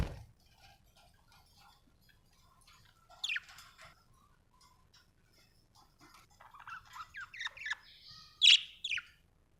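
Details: Happy budgerigar chirping: quiet scattered twitter, one sharp descending chirp, then a run of quick warbled notes building to a loud, high chirp near the end, with faint low rustling underneath.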